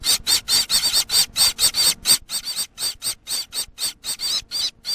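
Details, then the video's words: Gouldian finch chick giving a fast, insistent series of hoarse, buzzy squeals with warbling high tones, two or more per second, briefly crowding together then evening out. "Baby Gouldain Finch sound"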